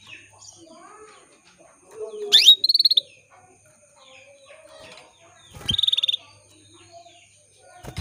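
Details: Female canary calling to males to spur their singing. A sharp rising chirp leads into a brief buzzy trill, and a second trilled burst follows three seconds later, with faint clicks between.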